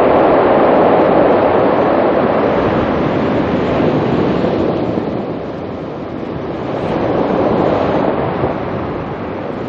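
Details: Steady roar of waves and strong wind buffeting the microphone on an estuary shore, swelling and easing over several seconds, with no animal calls heard.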